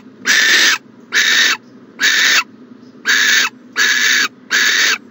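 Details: Morning nest-box recording of an owl, 14 January 2020: six strong breathy hisses spaced under a second apart, each abrupt in onset and end, over quiet low hum.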